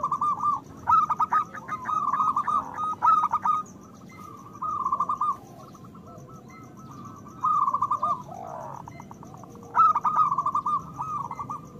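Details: Local Zebra Dove song, meant to prompt lazy doves to sing and raise their breeding drive. Bursts of rapid staccato cooing alternate with smoother rolling coo phrases over about twelve seconds.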